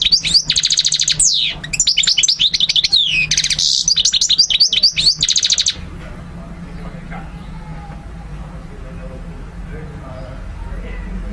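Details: Goldfinch song meant for teaching young birds: nearly six seconds of energetic, high twittering with buzzy trills and clipped chirps, then it stops abruptly, leaving only quiet background hum.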